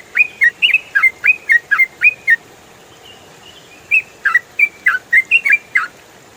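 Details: Yellow-vented bulbul (trucukan) delivering rapid 'ropel' song as songbird training material: two bursts of quick, clear chirps, many with a rising flick followed by a drop, separated by a brief faint gap.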